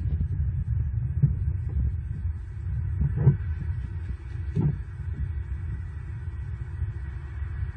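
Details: Overnight at an eagle nest camera in southwest Florida on 4 November 2022: a steady low rumble and hum with a few soft knocks near the middle, and no animal calls.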